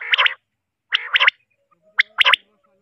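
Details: Batair, the common quail, three birds together: three bursts, each a rough buzzy growl running into sharp, quickly doubled high notes, separated by short silences, with a faint low hum between.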